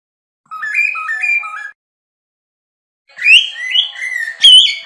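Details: Cockatiel singing: a tidy series of paired rising whistle notes, a silence, then stronger gliding whistles that climb and finish with a piercing high note.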